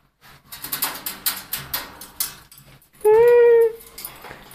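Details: A male eclectus parrot, angered by seeing himself in a video as a rival, gives one loud, drawn-out nasal squawk under a second, after rapid soft clicks and rustles in a small room.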